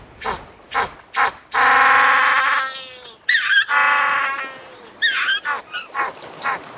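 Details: African penguin making its donkey-like call: a few short hoarse honks followed by two long, loud, harmonic braying notes, then a stuttering series of quick yelps; faint chirps sound in the background.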